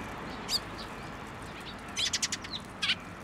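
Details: Young Eurasian tree sparrows gathering in a plum tree at a Tenmangu shrine to be fed, 26 May 2024: a lone sharp chirp, then a quick burst of five or six high chirps and a final pair, over faint background hiss.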